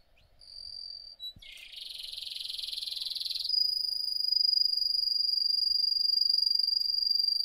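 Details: Russian canary bred for singing: a pure whistled note, then a dense buzzy trill for two seconds, followed by a long steady high rolling tone that holds to the end.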